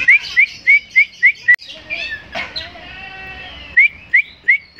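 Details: Oriental magpie-robin (kacer), a tame bird said to be able to win contests, repeats short bright rising whistles about every third of a second, breaks into a busy warbling passage, then returns to the same quick whistles.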